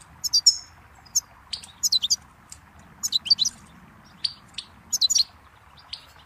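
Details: Goldfinch song from a tape meant for teaching chicks and songbirds: bursts of high, bright twittering notes in separate clusters about every second, with short quiet gaps between phrases.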